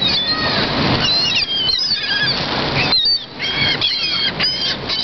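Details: Many gulls that have taken over a downtown lake in Orlando, giving overlapping harsh squealing cries in repeated bursts over loud crowd and wind noise.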